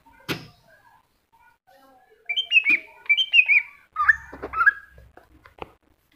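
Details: Greater green leafbird masteran singing: one sharp click, a quiet stretch, then two bursts of bright looping whistles followed by lower slurred notes over a low hum.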